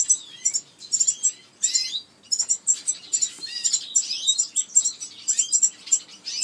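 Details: A red-fronted serin chick begs for food while being fed by a parent, giving high, thin squeaky chirps in quick, excited, nearly nonstop bursts.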